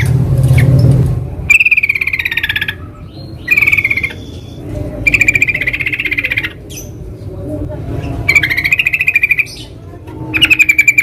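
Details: Wild yellow-vented bulbul (trucukan), recorded as lure sound for catching trucukan, delivers repeated chattering, bubbly phrases lasting about a second each, separated by brief pauses, over steady low rumbling and intermittent clicks.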